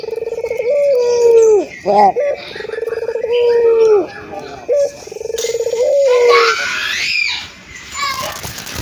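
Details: Frequently calling local ringed turtle dove, meant to encourage other doves to start cooing: repeated low, rolling coos, each a purring note ending in a drawn-out, slightly falling tone, with brief harsh notes between and faint higher sounds near the end.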